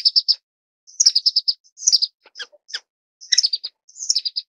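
Orange-cheeked waxbill giving high, thin chirps in quick runs of four or five notes, with a few sharper clicks between bursts; nothing else is heard.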